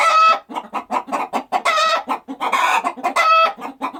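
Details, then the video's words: Rustic farmyard chickens with steady rapid low clucking, several per second, broken by louder harsh drawn-out squawks at the start, middle and near the end. "Chicken Clucking Sound Effect"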